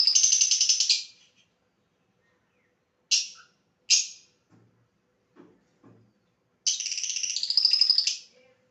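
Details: Pet lovebird in a playful mood chattering: a rapid, raspy, pulsed burst, two short sharp chirps, a few faint soft sounds, then another long, buzzy, rattling chatter.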